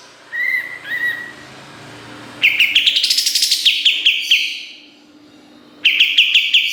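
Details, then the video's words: Kapas tembak song in a busy, sharp-filled style, intended for training songbirds. Soft whistled notes are followed by a long, fast series of sharp, high chirps. A second rapid burst comes after a short pause. "Masteran Kapas Tembak Gacor Nembak Isian Tajam Full"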